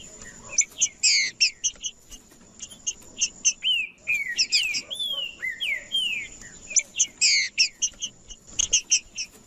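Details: Green-winged saltator male in aggressive macheando song, used to fire up other males: clusters of sharp high chips alternate with short clear whistled phrases that slide down and up, over a steady thin high-pitched whine.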